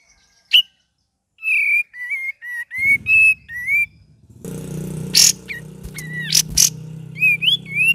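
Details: Cream-vented bulbul in vigorous gacor and ngeriwik singing: a sharp chip, then a run of clear whistled notes, each slurred up or down, some paired. Later notes sit over a steady low engine-like hum with loud broadband bursts.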